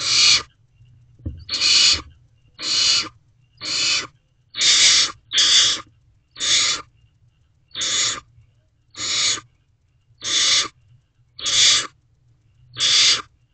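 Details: Two barn owl siblings in a nest box at 12:01 am, 21 May 2023, allopreening while awaiting a food delivery; a steady series of twelve rasping hisses, each about half a second, repeated roughly once a second.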